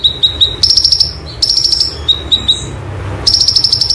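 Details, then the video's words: Konin, a white-eye, sings 'roll tembak' material for training: a few lower chips lead into rapid, high, stuttering trills that recur three times with short lower note runs between. "Konin Materi Roll Tembak Sejalur"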